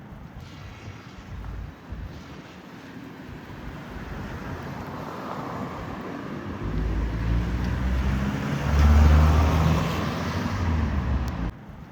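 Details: Steady rumble of passing traffic that swells toward the end, with no animal sounds.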